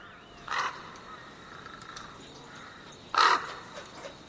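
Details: A crow in the wild gives two harsh, nasal caws about two and a half seconds apart, the second louder, over a faint steady background hum.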